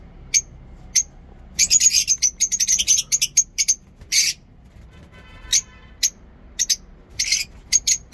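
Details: Lovebirds chirping in a mini zoo in the morning: scattered sharp high chirps, a dense rapid cluster of squeaky notes in the middle, and a brief harsher screech, then more isolated chirps.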